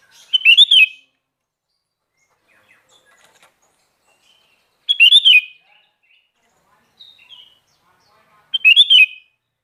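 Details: Sooty-headed bulbul, kutilang garuda type, singing actively: three short, bright, slurred phrases spaced roughly four seconds apart, each under a second long, with faint soft notes between and no background noise.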